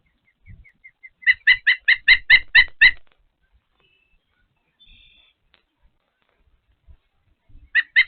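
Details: At a Patuxent River Park osprey nest while feeding, an osprey gives a burst of eight loud whistled chirps in fast succession, then silence, then a fresh pair of chirps begins.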